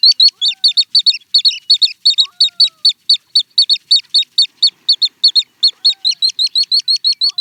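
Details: Little stint song: a rapid, even series of thin, high chirping notes, about five per second, continuing steadily for over seven seconds and quickening slightly near the end, with no other sounds.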